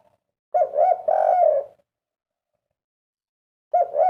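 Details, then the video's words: Derkuku, the spotted dove, in kuk 3 song: two quick rounded coos run into a long sustained descending coo, a pause of about two seconds, then the phrase begins again; nothing else heard. "merdunya suara burung derkuku kuk 3"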